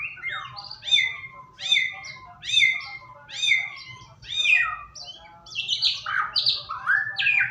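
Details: Lure recording of white-rumped shama singing to encourage a bird to sing: a repeated downslurred whistled phrase roughly every second, then shifting into varied higher rising whistles. A faint low hum is audible.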